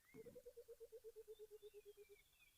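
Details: Burchell's coucal, also called the Rainbird, calling in the wild; it calls often when humid. A low, even series of about sixteen hooting notes, rising slightly then descending, like water pouring from a bottle, with faint higher bird calls behind.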